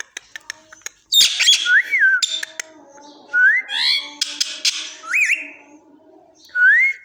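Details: Pet parrot mixes a harsh, noisy squawk with a series of looping, rising-and-falling whistles, each about half a second long, among scattered clicks.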